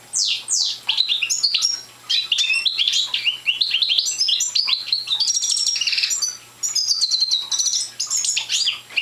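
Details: Nine seconds of rambling practice song from a young European goldfinch, subspecies parva, not in full voice: strings of bright chirps, descending whistles and buzzy trills in uneven bursts.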